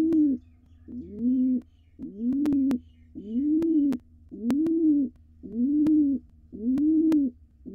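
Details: Male pigeon, wild, courting the female at the nest box as the nestlings exercise their wings; a regular series of low, swelling coos, near one each second, accompanied by sharp tapping sounds.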